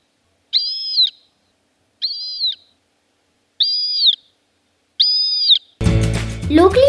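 Montagu's Harrier gives four drawn-out, nasal, high-pitched calls, each about half a second long and spaced roughly a second and a half apart, before a burst of music cuts in.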